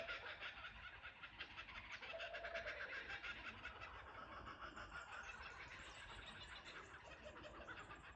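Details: Kookaburras in chorus near a cottage verandah at Ballandean. Loud, rapidly repeated cackling pulses run throughout, with voices overlapping and some higher chattering notes joining in the second half.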